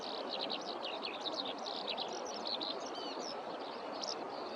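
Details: Eurasian skylark song in spring rice fields during a spell of warm days, several singers around; unbroken tumbling run of high, sharp chirps and trills with brief whistled slurs over a steady hiss of background noise.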